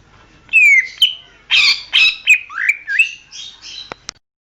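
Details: Greater green leafbird song recorded for training songbirds: loud buzzy, harsh chirps mixed with whistled slurs and upward-sweeping notes, bursts following one another quickly, ending with a sharp click.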